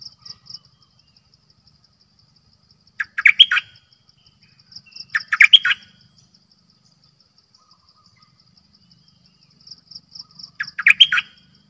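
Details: Cream-vented Bulbul kept as a decoy bird, delivering three brief bubbly phrases of rapid notes at irregular intervals of two to six seconds, while a high insect trill pulses steadily.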